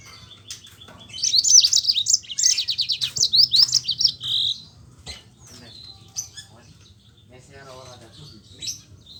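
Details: Lively yellow-fronted canary song with rolls, used to stir silent canaries into singing: a dense run of fast high trills for about three seconds, followed by scattered soft chips and a low murmur.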